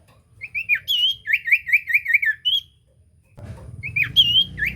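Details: Common iora in active song, used to provoke a silent iora to sing: crisp whistles, then a run of quick wavy trilled whistles, a short pause, and a final whistled phrase over rising low background rumble.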